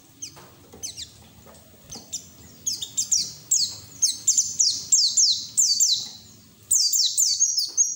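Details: Kept white-eye singing open-beaked as lure for other white-eyes: soft scattered chirps build into a loud, fast series of high descending whistles, about four per second, then another burst.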